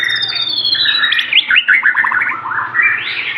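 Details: White-rumped shama of the Aceh type pouring out a lavish song: a long high whistle sliding down into quick twittering, scratchy notes and warbled phrases, rising again at the end.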